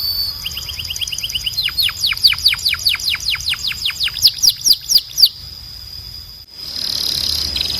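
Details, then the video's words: Belgian canary singing for bird training: short soft notes speed into a long series of loud, sharply descending whistled sweeps, about four per second, then a pause and a faint hiss. "Canário Belga Cantando 2026 🔥 Canto Forte e Limpo Para Treinar Pássaros"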